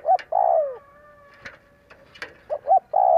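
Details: Spotted dove cooing as a lure to provoke other doves to call: a short note and a long falling coo, a pause with a faint steady tone and soft clicks, then more short coos ending in a sustained coo.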